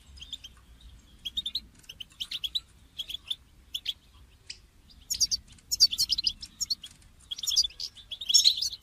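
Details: European goldfinch calls for motivating a caged goldfinch to sing: softer scattered chirps at first, building to dense, fast twittering bursts in the second half.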